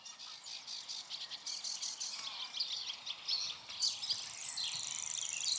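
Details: Grasshopper warbler at Fish Lake Meadows, singing from small deciduous bushes in the distance: a high, insect-like reel runs on unbroken, swelling and fading in volume as it turns its head, with brief chirps from other birds.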